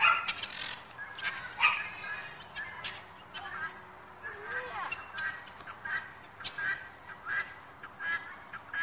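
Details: Helmeted guineafowl living free in an American city neighbourhood, possibly escaped from a pen, give harsh, grating calls in uneven bursts, several birds overlapping.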